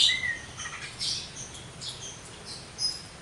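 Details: Javan myna singing a brief run of short chirps and whistled notes, a few scattered high squeaky elements over faint background hiss.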